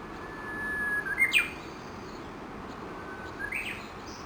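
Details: Japanese bush warbler singing around 7:30 am at Gakushima Bridge, Yoshinogawa, Tokushima, among dozens feeding under a chinaberry tree. A held flat whistle ends in a loud quick rising then falling flourish; a second short phrase follows.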